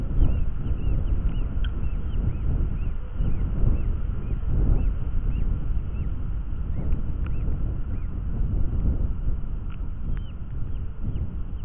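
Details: Hobby at an artificial crow-style nest in Dorset, July afternoon, during the second hatching and a feeding; a steady series of brief arched high calls runs throughout, with a few sharper notes, over loud low wind noise.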